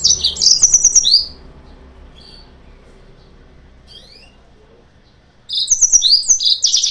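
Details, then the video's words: Yellow-fronted canary song played as a lure to provoke rivals: bursts of fast high trills and sweeping notes at the start and end, separated by several seconds of near silence with faint chirps. "PANCINGAN/MASTERAN BURUNG MOZAMBIK"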